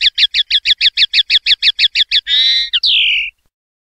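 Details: Common linnet song in the 'pardillo limpio' (clean) style from 2021/2022: about thirteen evenly spaced chirped notes, then a buzzy twittering phrase, a short note and a smooth descending whistle, with a faint low hum.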